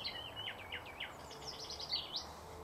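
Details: Thrush nightingale song: quick descending slurred notes repeated in a run, followed by higher clicking and rattling phrases, with little other sound around.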